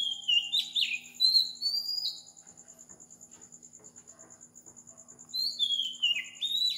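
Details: Sri Lankan Oriental magpie-robin singing at 4 am: a cluster of bright downslurred whistles, roughly three seconds of quiet with only a pulsing insect trill, then a further series of falling fluty notes.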